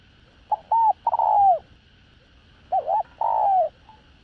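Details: Spotted dove with a decoy-suited voice, performing its full calling, urging and cooing sequence to stir wild doves. A quick clipped note and a bent coo lead into a long, sagging coo, and the whole phrase is given twice.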